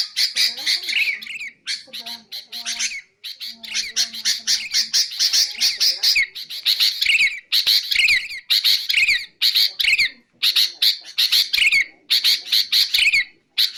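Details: Sooty-headed bulbul, played to lure other bulbuls: bursts of harsh, buzzy chattering notes with short upward-sweeping whistled elements, broken by brief pauses, plus a faint low hum in the opening seconds.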